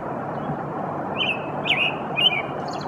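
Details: American robin (Turdus migratorius) singing three short, slurred caroling phrases about half a second apart over a steady roar of traffic.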